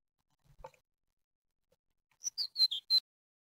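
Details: Newly hatched great tit chicks in an Ostwald nest box, 6 June 2020, the first hatching of the season, utter a brief run of five high, thin, downslurred peeps after a soft low shuffle.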